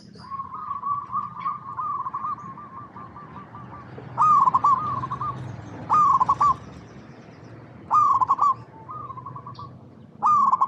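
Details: A local zebra dove used as a lure to make other perkutut sing. A long soft murmuring coo opens, then loud clipped rolling coo phrases come about every two seconds, with a low background rumble.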